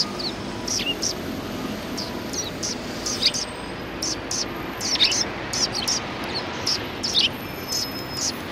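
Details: Sparrows gathering to greet someone in front of a cultural hall on 7 February 2020 give short, high, bright chirps, scattered and irregular, several birds overlapping, with a steady background hiss and faint voices.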